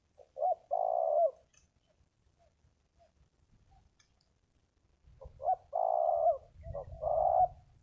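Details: Spotted dove, a wild bird at a ground decoy site, praised for its big voice, sings two groups of deep purring coos, with low rumbling thumps beneath the second group.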